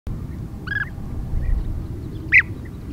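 Two short, rolling European bee-eater calls about one and a half seconds apart, the second louder and higher, over a steady low rumble of wind.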